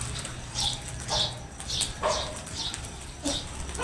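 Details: Crows calling while attacking food: a run of harsh, rasping bursts repeated roughly every half second, with steady low background hum throughout.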